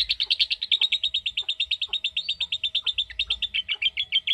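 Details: Lovebird giving its long 'ngekek' trill, a sustained run of rapid, bright chirps at about six per second, steady and unbroken throughout, with faint low hum beneath.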